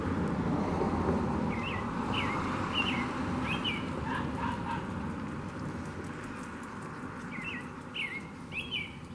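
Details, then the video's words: American robin (Turdus migratorius) mating calls: short, clear whistled notes, each sliding up and down, come in loose groups of three or four over a steady low rumble of wind or distant traffic. "Red Robin Mating Calls"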